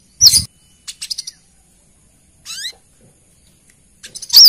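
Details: High, piercing chip notes and a short stutter of thin ticks, followed by a rising whistled sweep, from a female brown-throated sunbird calling the male, used as a lure.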